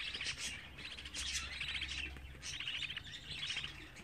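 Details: Young budgerigars, 24 days old, give a quick run of buzzy, trilled chirps in overlapping bursts. A low steady hum is present in the background.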